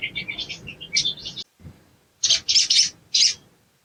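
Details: Sogon ijoan, a green-plumaged crimson sunbird, in training material for fast singing: a quick run of thin high chirps, a short silence, then three loud harsh high bursts.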